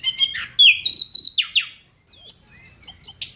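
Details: Chestnut-capped thrush singing in gacor style: liquid slurred whistles falling in pitch, a brief silence, then long, very high thin whistled notes and a final sharp burst.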